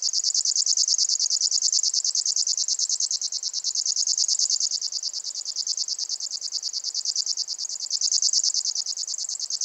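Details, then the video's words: River Warbler at a Russian forest edge reeling a continuous, high, insect-like buzz of rapid dry pulses, running unbroken for nearly ten seconds with no other sounds. "Речной сверчок (Locustella fluviatilis)"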